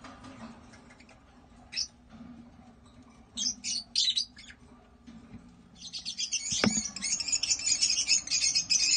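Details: Captive African lovebirds (Agapornis) at a breeding setup: scattered buzzy chirps, then a long stretch of dense, rapid high twittering from several birds, with a sharp knock and a low hum.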